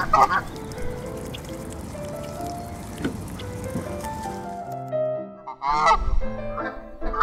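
Canada goose honks, loud nasal calls in a short burst near the end, with steady background music throughout.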